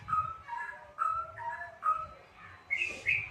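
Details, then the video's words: White-rumped shama song used as a lure to get a reluctant caged shama singing: clear mid-pitched whistles alternating high and low, roughly two per second, ending in two brighter, higher rising notes. "pancingan murai batu malas jadi ikut gacor"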